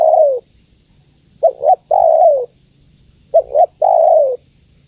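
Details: Female spotted dove calling the male: a long falling coo, then two phrases of a quick double hoot followed by a drawn-out descending coo, about two seconds apart, over a faint low hum.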